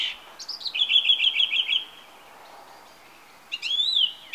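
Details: Perched on a TV aerial on a summer evening, a song thrush delivers a fast burst of repeated bright notes, a pause, then a high swooping phrase.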